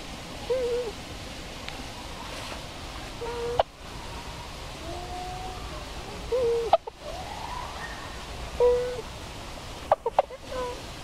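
Tundra swans give soft, mellow hoots, single or paired, every few seconds from a distance, over a steady rushing background with a few sharp knocks.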